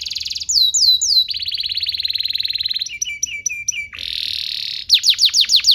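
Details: Canary tutor song for young birds: a fast chattering trill, looping whistled slurs, a long even buzzy roll, twangy doubled notes, a harsh rasp, then loud sweeping whistles.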